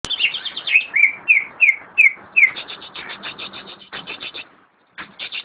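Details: Greater green leafbird, known locally as cucak ijo, kept as a caged bird, singing a run of clear whistled notes that drop in pitch, repeated about every third of a second, then buzzier chattering phrases after a short pause.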